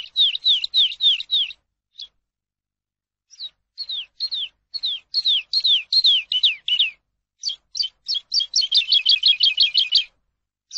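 A Eurasian skylark sings high, quick down-slurred chirps in runs, pausing briefly, then ends in a fast, rattling trill. No other sounds are heard.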